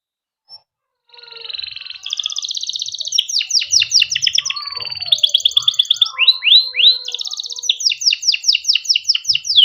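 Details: Canary, a long-singing captive bird whose song serves as a lure for training young canaries: varied high rolling song of rapid repeated chirps, buzzy trills and rising swept notes, loud and continuous after a brief opening note.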